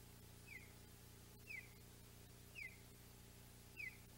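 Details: Osprey pair meeting at a nest on the Audubon Boathouse on an August morning: a short, slightly falling squeaky chirp repeated four times at roughly one-second intervals over a steady low background hum.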